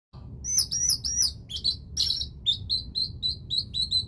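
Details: Orange-headed thrush singing in the teler style: a few high descending slurred notes, then a steady run of short clear whistled phrases near the same pitch, repeated about twice a second, with a low background hum.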